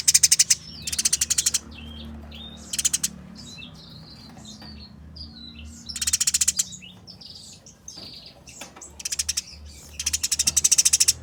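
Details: Clear bursts of fast, harsh chirping from fighting Eurasian tree sparrows, separated by quieter stretches of soft, wavering high twitters and squeaks, with a steady low hum underneath.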